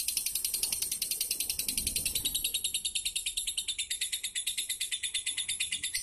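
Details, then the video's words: Captive lovebird, a fighter-class contest bird from Pemalang, Central Java, Indonesia, sustains a high, thin, rapidly pulsing chatter throughout, with a faint low thump midway. "Lovebird super fighter"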